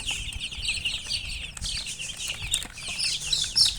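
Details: A dense chorus of baby chicks, with high, shrill peeps overlapping continuously and a few sharper, higher chirps near the end, over light scratching.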